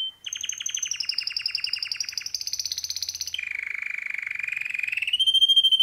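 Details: Male canary in full song, running through rapid rolling trills. A high trill sags slightly, then jumps higher. A long lower, faster roll follows, ending in a sustained pure whistle.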